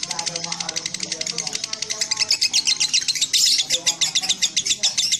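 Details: Lovebird song from a set of three birds; fast, rapid-fire high chirps running almost continuously, speeding into a dense chatter, with a faint lower murmur underneath.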